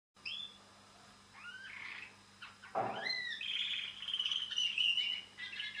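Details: Pet canary singing indoors: warbled, rising and falling twittering phrases, a sharp downward sweep near the middle, then a continuous trilled run of high notes; a steady low hum underneath.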